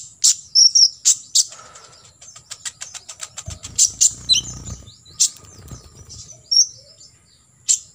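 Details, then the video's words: Olive-backed sunbird in a 'full tembakan isian' training recording: high chirps, then a long rapid ticking series, a few down-slurred notes and scattered tweets, with a low rumbling noise in the middle. "KOLIBRI NINJA (KONIN) FULL TEMBAKAN ISIAN"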